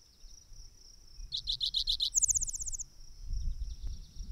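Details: A male spotted towhee at the Petrified Forest trailhead, Theodore Roosevelt National Park, sings six clear notes, then a quick high trill. A steady insect drone and low rumbling noise continue underneath.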